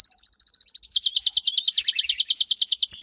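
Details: Domestic canary delivering a powerful training song: a steady even whistled trill, then a dense fast buzzy roll of rapidly repeated notes.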